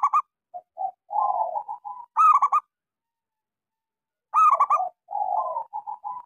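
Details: Local zebra dove singing actively with a small voice, used as a lure to get silent doves to sing: bursts of loud, rapid, ringing coos alternating with softer rolling, trilled cooing phrases, against a quiet background.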